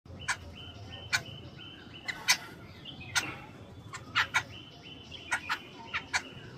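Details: Jungle babbler calling: short, harsh, rasping notes given singly or in quick pairs, about a dozen in under seven seconds at uneven spacing, over a faint steady high whistled tone and soft low background rumble.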